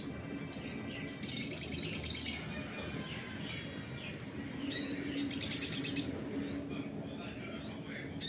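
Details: High sunbird (sogon) song in the 'nembak' lure style, used to stir up other birds: two long rapid buzzy trills separated by pauses filled with isolated shrill chips and a sliding whistle, over soft hum.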